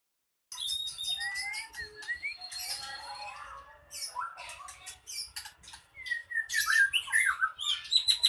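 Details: Caged ekor pendek songbird kept for bird contests, singing aggressively to rouse rival birds to fight: a fast, varied jumble of harsh rattles, chattering notes and short rising whistles that grows louder toward the end.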